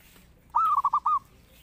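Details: Zebra dove in lively full song, used as a lure and master call for training birds: a short burst of five mellow cooing notes, the first drawn out, then quick rolling beats, over a quiet background.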